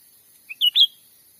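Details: Sumatran forest recording of a cucak ranting lure call for trapping birds: a single crisp phrase, a faint opening note and two strong clear whistles, the second sweeping upward; quiet hiss otherwise.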